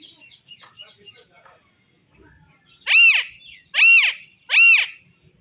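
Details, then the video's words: Alexandrine parakeet: soft, quick twittering notes at first, then three loud, harsh, arched screeches about one second apart, each rising and falling with strong harmonics. "Alaxendrine Parrot Natural Sound"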